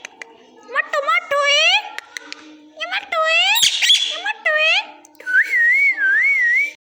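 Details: Parrot talking in a small room: a string of speech-like, harmonic syllables sweeping upward, followed by a long warbling whistle that waves steadily up and down.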